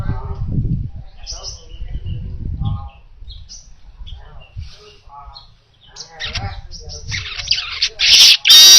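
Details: Baya weaver singing, used as training material for other songbirds: soft squeaky chips and brief chatters with some low background thumps, building into dense buzzy rattling notes and a loud hissing sizzle at the end.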